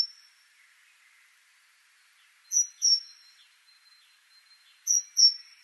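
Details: Great tit (Parus major) repeating a bright two-syllable whistle at intervals of roughly two and a half seconds, with soft distant bird notes in between.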